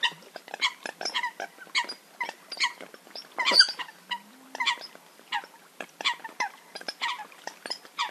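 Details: Eurasian coot hunting call: loud, short, nasal barking notes with rich overtones, repeated roughly every half second in an uneven series, with a brief low hum midway.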